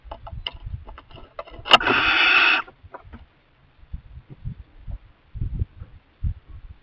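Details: Young barn owl in a kestrel nest box, fed mice by its parents; a single harsh hissing screech under a second long, preceded and followed by soft knocks and rustling.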